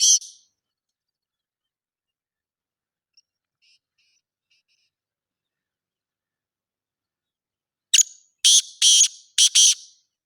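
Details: Black francolin: a brief scratchy note opens, then long silence before a rough, grating burst sequence of about four loud syllables delivered rapidly, nothing else audible.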